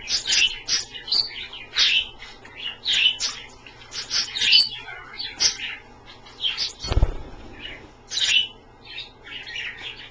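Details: Pet Australian parrots at bath time in a pie-pan of water chirp steadily in quick, high, squeaky notes about twice a second. One loud low thump from a splash or knock sounds partway through.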